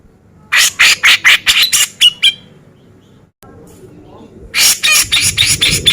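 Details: Contest-training song of a male Cucak jenggot: about eight harsh, loud, rhythmic chattering notes in quick succession ending in a ringing note, a pause with faint hum, then another harsh chattering burst.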